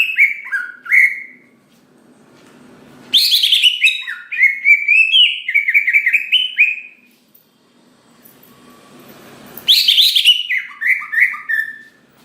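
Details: Greater green leafbird, singing to set other leafbirds off, gives several bouts of loud, fast falling whistles, each opening with a rasping burst, separated by quiet pauses with faint background noise.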